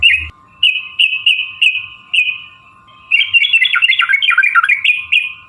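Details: Sooty-headed bulbul lure song for drawing out other bulbuls: several clear, drawn-out whistled notes spaced about half a second apart, then a fast tumbling chatter of bubbling notes, with a faint hum behind.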